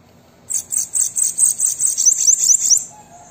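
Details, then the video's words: Bananaquit (sibite) singing, used to stimulate caged birds to sing: a high-pitched, sizzling run of quick repeated notes, about two and a half seconds long, ending in fast rising slurs. "Sibite canto para estimular seu Sibite a cantar"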